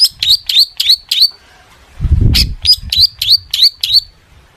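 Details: Long-tailed shrike singing full mimicry song to prompt other shrikes: a series of short upward-flicking whistled notes, about three per second, broken by a dull thump before the same notes resume.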